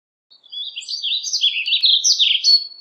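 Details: Warbling vireo delivering a single lively warble, a dense two-and-a-half-second tumble of slurred, up-and-down high notes ending on a rising flourish.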